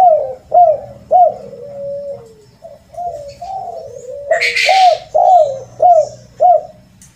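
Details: Rare kuk 2 or kuk 3 lure call of a spotted dove: a steady run of hooked, falling coos and soft sliding notes, broken once by a brief loud rustling noise, over low rumble.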